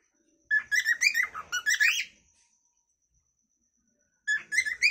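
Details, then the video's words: Cockatiel natural calling song: a roughly one-and-a-half-second burst of rapid whistled notes rising and falling, then about two seconds of near silence before a new short burst starts. "Funny cockatail bird 🐦🕊️ natural calling song by cocktail"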